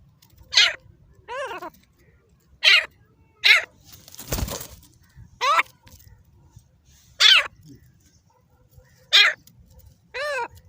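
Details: Caged Dakni-type grey francolin kept for hand fighting, calling in sharp, ringing harmonic notes spaced one to two seconds apart, with a brief broadband thump or rustle midway through.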